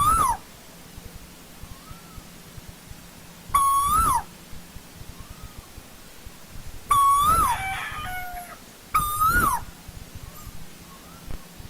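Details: Old-growth forest Asian koel calling four times: loud, clear whistled notes, each steady before a short rise and a falling end, spaced roughly two to three seconds apart. Fainter answering notes are heard between them.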